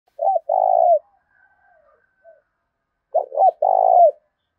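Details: Spotted dove giving a fight-provoking coo: two short low notes and then a longer, slightly falling coo, repeated twice about three seconds apart, with faint soft chatter between the phrases.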